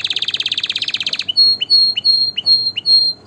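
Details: Canary singing a fast high buzzy trill, then a run of sharp rising whistled notes repeated about every third of a second, clear and loud with little background noise.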